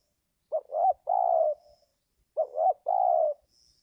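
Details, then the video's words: Spotted dove used to lure wild birds during the giring season, when wild birds are reluctant to come down: two cooing phrases about two seconds apart, each two short notes then a longer level coo. "Mikat burung tekukur"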